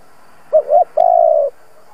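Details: Spotted dove kept as a decoy to prompt other doves to coo: a brief pair of soft hoots, then a drawn-out, level, hollow coo.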